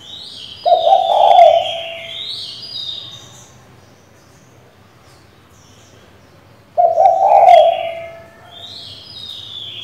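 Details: Female spotted dove calls the male, used to stimulate a decoy bird: two brief low coos about six seconds apart, mixed with repeated higher, thin chirps from other birds in the background.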